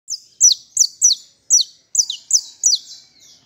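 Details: Saffron finch held by hand, singing in fibra style: a run of eight sharp, high, downward-slurred notes, each rising briefly then falling steeply, spaced roughly every third to half second.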